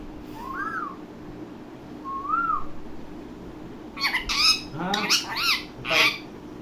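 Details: Talking Indian ringneck parakeet, a mimic: two soft arched whistles, then a burst of loud harsh squawks with rising-and-falling harmonic notes, several in quick succession.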